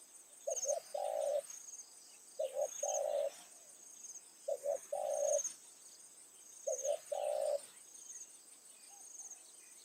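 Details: Decoy spotted dove cooing in the evening to bring wild doves close. Paired clipped notes lead into a fuller coo, repeated roughly every two seconds in a steady rhythm over a faint high insect drone.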